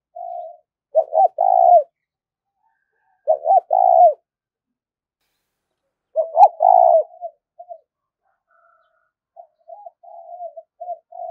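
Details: Spotted dove used as a trapping lure, cooing in three bursts of short rising-falling notes ending in a drawn-out coo, followed by softer low trailing coos; otherwise silent background.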